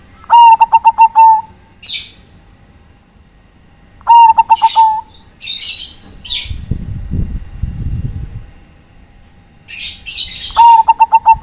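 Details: Bangkok-type zebra dove calling companions, giving three phrases of quick, even-pitched cooing pulses with a drawn-out last note, spaced several seconds apart, amid high chirps and a burst of low fluttering noise.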